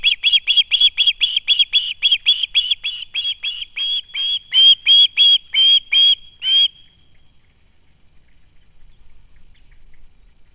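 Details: Fledged young osprey screaming to be fed after spotting a parent near the home nest, 12 August 2013: over twenty rapid, shrill piping calls in six seconds, growing louder midway, then quiet.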